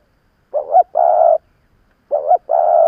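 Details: Spotted dove used as a seasoned decoy to provoke wild birds, giving two phrases of a rising doubled note followed by a long steady hollow coo.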